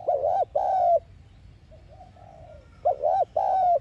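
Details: Spotted dove 'thúc gù' decoy coo for stimulating a caged dove. A husky two-part coo is followed by faint soft murmurs, then another strong two-note coo.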